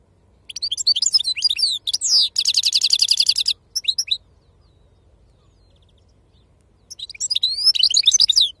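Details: European goldfinch of wild stock in the Serfati song style: energetic twittering, a buzzy rapid rattle, a few sweeping notes, roughly three seconds of silence, then renewed fast chattering twitter.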